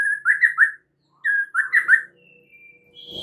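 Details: Lure song of a white-rumped shama, meant to draw out another shama's full repertoire. Two rich whistled phrases of slurred, looping notes are split by a short pause, followed by a faint thin whistle.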